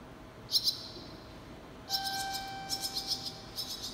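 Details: Barn swallow chicks calling in a nest built on top of a station surveillance camera while being raised and fed: bursts of high, thin, overlapping chirps, repeated several times, with a steady electronic hum underneath.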